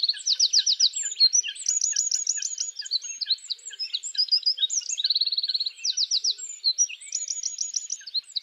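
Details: Eurasian wren singing its mating song in a spring forest, pouring out a loud, high, rapid song of rattling trills and bright chattering notes, almost without pause.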